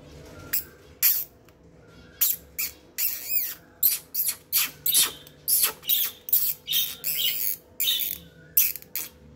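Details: African lovebirds calling: a rapid series of sharp, squeaky and harsh chirps, about two per second across nine seconds, some with short whistled tones, over a faint steady hum.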